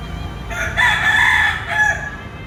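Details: Crowing rooster, one of two brothers calling one another to fight: a strident crow beginning after a short pause, a long harsh middle note and a brief lower tail, over mild background noise.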